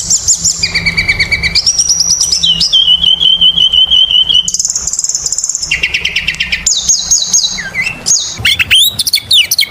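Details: Oriental magpie-robin singing energetically as a lure for other birds: long sustained high whistled notes, some trilled or warbled, shifting pitch from phrase to phrase, then ending in quick sharp chips.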